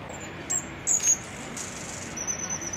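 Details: Green-backed firecrown on Cerro Santa Lucía, Santiago, Chile, giving very high, thin squeaky notes: short chips near the start, then a sustained high piping whine toward the end, over faint background hiss.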